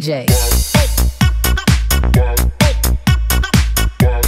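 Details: Pounding electronic dance music with a steady beat, and no animal sound audible.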